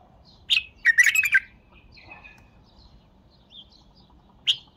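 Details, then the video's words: A rich, bubbly bulbul phrase of rapid chirped notes, then faint warbling and a final sharp single note. "اقوه تغريده بلبل تمر"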